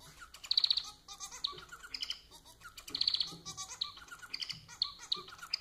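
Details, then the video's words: Society finch (Lonchura striata domestica) kept as a pet, singing a busy, jumbled song. It mixes buzzy rattling bursts, short high chirps and scratchy notes, with louder buzzy phrases recurring about every two and a half seconds. "Vídeo para fazer seu MANON cantar muito!"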